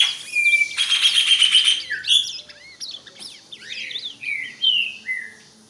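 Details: Ultramarine grosbeak showing off its song to a rival as other birds sing: a long, steady, high whistle followed by shorter falling and rising whistled slurs. Quicker chirps from other birds mix in.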